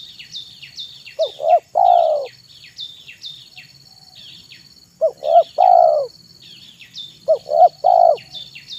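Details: Spotted dove (tekukur) used as a lure bird, singing in the afternoon: three cooing phrases, each two short rising notes and one long drawn-out coo, repeated every few seconds. High faint chirps of small birds and a steady thin whine sound behind.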